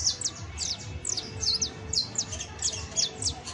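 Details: Saffron finch song from an exemplary canario criollo: sharp, high descending chirps in quick clusters of two or three, fairly regular, with a low hum underneath.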